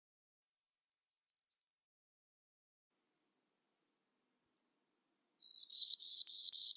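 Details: Black-throated green warbler singing a thin, high buzzy phrase that ends in a sharper note, then after a pause a fast, evenly spaced run of short, buzzy repeated notes.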